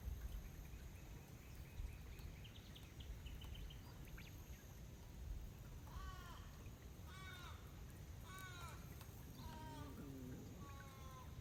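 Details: Pacific black duck resting and preening beside a lake in Woromi Country; after quiet faint notes, a run of arched, harmonic nasal calls repeats about every second in the second half, with steady low background noise.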